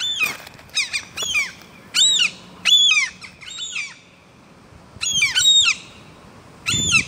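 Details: Rooftop gull colony on an apartment block's ventilation pipe, chicks walking about: clusters of shrill, bent squawking notes repeated in quick runs, separated by short quiet gaps, with a low hum beneath.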